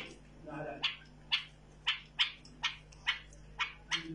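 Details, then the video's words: Tame bulbul sounding a regular series of short, sharp chirps roughly twice per second, after a person speaks briefly at the start. "بلبل مطوعه"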